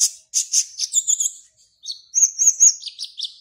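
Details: Van Hasselt's sunbird kept in a cage in Serang, Banten, Indonesia, singing for an online bird contest. It gives bursts of sharp high tweets, then a fast, shrill trilled run with brief pauses between phrases.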